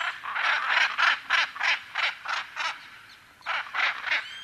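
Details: Macaw calling in a series of harsh, raspy squawks, about three per second, pausing briefly before resuming.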